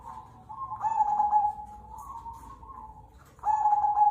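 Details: Cemani Kolbuntet zebra dove, a local bird, singing. A loud rolling coo is followed by quieter, wavering cooing, then another strong phrase opens abruptly near the end.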